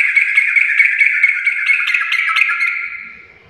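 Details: Sooty-headed bulbul giving energetic "garuda"-style song: one continuous, loud, chattering warble of rapid pulsed notes that trails off gradually after about three seconds.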